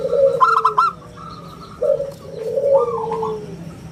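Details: Local zebra dove, known as perkutut lokal, cooing in the round crystal style used as a lure and as a tutor song: a quick stuttered opening, then a long smooth falling coo, repeated twice.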